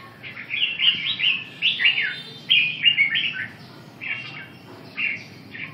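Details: Red-whiskered bulbul song: lively bursts of fluty, slurred notes in quick clusters, then sparser single chirps with short pauses between them.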